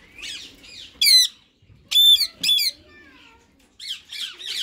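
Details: Talking-mode session of two rose-ringed parakeets, a white ringneck male and a green bird: loud, strident squawks come in separated bursts, with softer gurgling, speech-like sounds between them.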